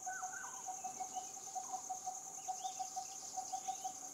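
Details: A coppersmith barbet repeats a single low, knocking note at an even pace, roughly two per second, against a continuous shrill insect hum and faint chirps of other birds.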